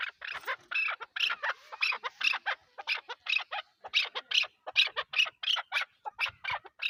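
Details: Chukar partridge, named as Pakistan's national bird, delivering a fast, harsh, squawking chatter of short bursts, more than two per second, fairly even in spacing.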